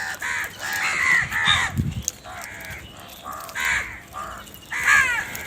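A crow gives harsh, nasal caws in short bursts, about five rough calls spread over several seconds, with faint background noise between them.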